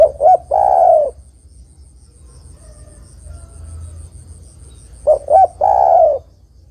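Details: Female spotted dove calling to a male, used to make males sing: two soft, rounded cooing phrases, each a pair of short notes and a longer purring coo, separated by a quiet gap.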